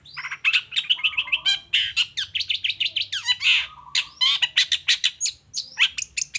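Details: Long-tailed shrike song for luring other shrikes into answering: a near-continuous, fast stream of chattering notes, squawks and sharp chips, with a low flat whistle running beneath the early phrases.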